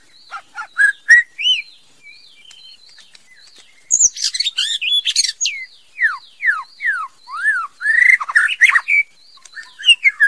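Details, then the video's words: Female white-rumped shama singing: a varied run of clear whistles, sharp down-slurred notes and rapid chirps, with a short pause before a denser, more jumbled burst of slurred whistles. "TIẾNG CHÒE LỬA MÁI HÓT CHUẨN MỚI NHẤT | Copsychus malabaricus"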